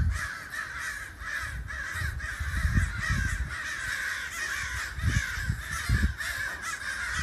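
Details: Flock of crows that gathered near a house, heard from indoors, keeps up a dense chorus of harsh, overlapping caws, louder calls breaking through every second or so over a low wind-like rumble.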